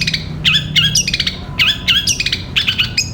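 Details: Long-tailed shrike singing, for training caged birds. Short clusters of sharp, rising whistled notes come in quick pairs and triplets roughly every half second over a faint low hum.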